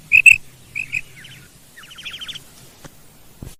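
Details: Female quail in a field, known locally as madi batair: a few sharp doubled notes, then a quick rasping, crackling series that fades out, with faint clicks near the end.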